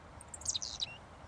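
A Carolina Chickadee gives a quick run of thin, very high chips and a short sliding whistle, all within one second, over faint background hum.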